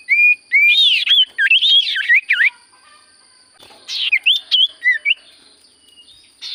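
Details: Common iora song of rapid, varied whistles that swoop up and down in quick runs, a brief pause, then another jumbled whistled phrase. A faint constant high tone is heard throughout.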